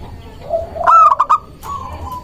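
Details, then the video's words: Local zebra dove in full voice, singing to lure doves and provoke rivals into answering. A soft low coo leads into a quick burst of rich, ringing notes, followed by a drawn-out hollow coo. "Perkutut lokal gacor mengundang lawan bunyi"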